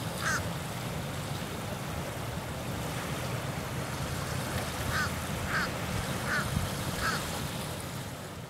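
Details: A Fish Crow at Cherry Glen Beach, Saylorville Reservoir, Polk County, Iowa, on 2 April 2017 gives short, nasal, duck-like caws: one, then a pause, then four in quick succession. A steady low rumble of wind runs underneath.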